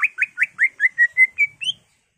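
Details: Greater green leafbird in agitated 'gacor' song with 'ngentrok' fills, used to goad caged birds into singing: nine ringing whistled notes in quick, steady succession, the early ones rising, settling into flat tones before a last higher upslur.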